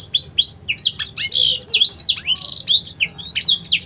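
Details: Singing canary, a BBSF x Berner crossbreed tutored with black-throat song, used as a teacher for young birds; varied rising and falling whistled notes and slurs in quick, irregular succession, continuous throughout.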